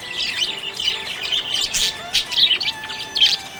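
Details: A budgerigar described as happy warbles and chirps nonstop, rough scratchy notes broken by a few louder bright bursts near the end.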